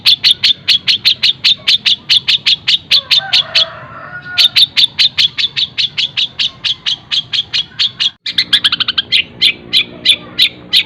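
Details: Long-tailed shrike in sustained fast song imitating tengkek buto, greja and kunti: steady streams of clipped high chips, a brief pause, then more, ending in an even quicker burst of notes.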